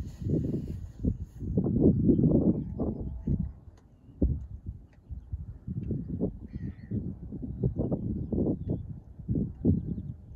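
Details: Taiga bean geese (Anser fabalis), 10 March 2024, give low, nasal honks in irregular, overlapping bursts, several a second, over a heavy rumble of wind or handling noise.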